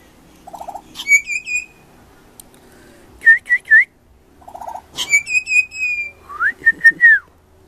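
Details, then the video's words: Young pied butcherbird's very high song: a short low trill leading into a long clear whistle, then three looping notes, repeated with a final run of descending whistles. "Baby Pied Butcherbird singing very high pitch"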